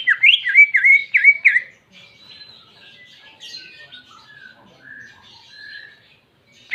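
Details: Greater green leafbird singing with canary imitation: five loud, clear chirping notes sweeping up and down in quick succession, then a long stretch of faint, thin twittering and soft whistles.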